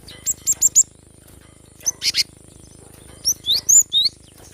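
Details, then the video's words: Cinereous tit, called gelatik batu, in a recording used to rouse reluctant birds to sing: quick runs of sharp, high whistled notes in groups of three or four, broken by pauses, with a faint constant background hum. "Gelatik batu gacor ‼️mengatasi burung malas bunyi"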